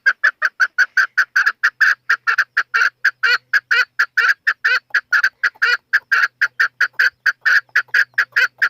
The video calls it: Chakor Partridge Voice